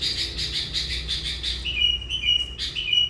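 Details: Sooty-headed bulbul decoy in lively gacor voice, used to lure hundreds of wild bulbuls; pulsing chatter at first, then a run of clear, level whistled notes.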